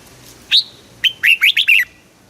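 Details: Red-whiskered bulbul in a cage in Thailand, singing southern master-style song to excite other birds: an upslurred whistle, then a brisk run of five musical notes sliding down and up.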